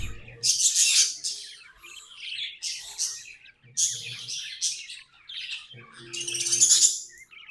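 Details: Several pet budgerigars warble together, a rapid stream of shrill chirps and buzzy notes rising into loud bursts every second or two, with a faint low hum underneath.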